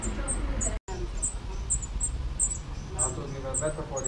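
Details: Spotted flycatcher nesting among screws at an unusual site in Dombóvár, Hungary, on 8 June 2017, filmed from a window hide: thin, very high squeaky notes, about two per second, over a steady low hum and faint rustling.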